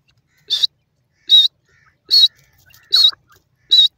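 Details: Wild francolin known as Dakhni Silver Teetar or Bangi Teetar, singing: loud, sharp high notes with a quick pitch twist, repeated about every 0.8 seconds. Faint lower chatter sounds between them in an otherwise quiet background.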